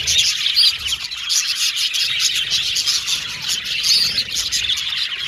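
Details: Australian budgies chattering cheerfully: constant high warbling and chip notes, with two distinct looping whistled phrases rising above the group noise.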